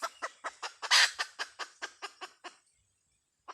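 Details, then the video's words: A hen gives rapid, evenly spaced clucks. One louder, harsher burst comes near the start, then the series runs on for about two and a half seconds before stopping, with a single cluck at the end. "Suab poj qaib Dib tsauj"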